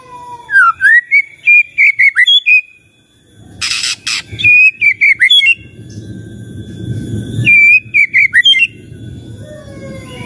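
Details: A white-rumped shama sings, a song used to set other shamas answering: clusters of quick whistled and warbled notes separated by pauses, with harsh noisy bursts and background hiss between phrases.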